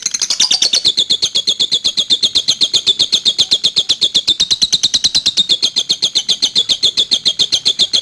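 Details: Young lovebird in its first, immature song phase: loud, very fast, high, shrill chattering trill of rapid repeated notes, about four per second, running without pause through the whole stretch.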